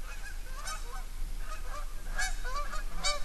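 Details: Canada geese at sunset at New Wasaga Beach on October 2, 2012, giving nasal, harmonic honks in loose bursts, several overlapping near the end, over a steady low rumble of wind or surf.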